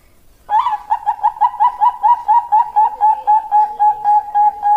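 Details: Bangkok zebra dove, a female calling to a male, used as master and lure song: a rapid rolling series of soft cooing notes, roughly four per second, smooth and regular throughout.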